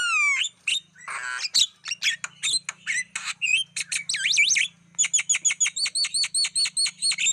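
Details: Black-winged starling lure song for attracting wild birds: a falling whistle and a harsh rattle, varied squeaky notes, wavering whistles, then a steady train of about twelve repeated double-pitched chirps.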